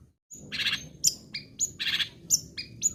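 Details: Long-tailed shrike singing to urge other shrikes into song: harsh buzzy bursts alternate with high, thin whistled notes that drop in pitch, in a quick alternating pattern.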